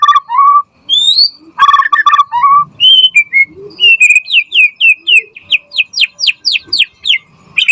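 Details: Murai batu, the white-rumped shama, singing vigorously as a training lure. Clear separated whistles, some sliding upward, lead into a fast series of sharp, downward-slurred notes repeated several times per second.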